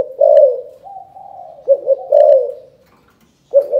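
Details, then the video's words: Throaty calling coos of a spotted dove from Can Tho, Vietnam, in the 'chụp chụp ô' style: a strong opening coo, a quieter sustained note, a double note and a downward slide, then silence before a final coo. "Chụp chụp ô gáy gọi Thái Vân hoa : Cu gáy Cần Thơ"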